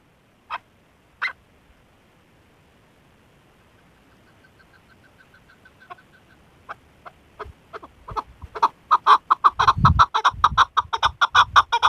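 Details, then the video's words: A female chukar partridge gives a couple of sharp notes, then a quick rising series of harsh clucking chuk calls that speeds up and grows louder toward the end. "chakor birds keklik sesi chakor birds zirk awaz sound"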